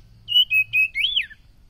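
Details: Oriental magpie-robin giving a short whistled phrase: three steady clear notes followed by a longer note that rises and then falls, against a quiet background.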